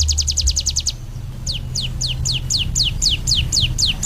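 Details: Ciblek gunung singing a fast rattle of high notes, then, after a short pause, a steady series of high, downward-sweeping whistled notes at about three per second. A low background hum is present throughout.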